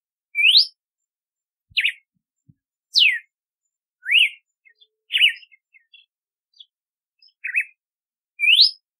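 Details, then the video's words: Red-cowled cardinal song: clear separate whistles, some sweeping upward, others dropping sharply, with a few soft twittery notes between them, roughly one phrase per second in a quiet setting. "Canto do Cardeal do Nordeste / Galo de Campina / Campina | Red-cowled Cardinal"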